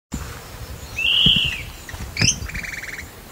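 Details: A crested elaenia gives a slurred, arching whistle, then a sharp upward note and a quick, buzzy stuttered trill, over low rumbling background noise.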